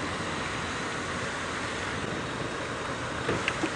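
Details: A steady, loud vehicle engine rumble fills the whole recording, with a couple of faint clicks near the end and no animal calls.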